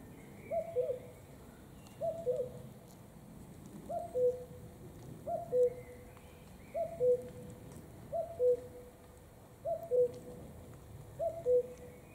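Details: Steady common cuckoo song, eight evenly spaced falling two-note 'cu-coo' phrases roughly every one and a half seconds, over a calm outdoor background with faint distant chirping birds.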